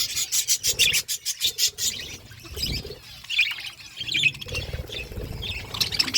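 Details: Pet budgerigars chirping while eating food: a run of rapid, evenly spaced high bursts opens, then scattered bright warbled chirps and chatter follow.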